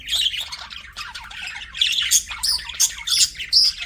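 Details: Budgie chirping turning into sharp squawks, rapid harsh notes repeated several times a second, with rising whistled tones near the end.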